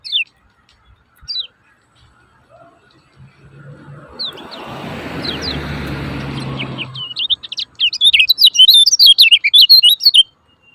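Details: Lemon-bellied white-eye calls played as a lure to prompt silent birds to sing: scattered high thin notes, a swelling rushing noise in the middle, then a quick burst of high, twisting chirps near the end.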